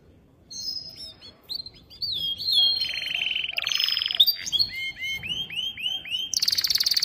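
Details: Male canary forcing the female to mate: varied song of rising whistled notes, short trills and a buzzy burst, ending in a harsh rapid rattle, over low background rumble.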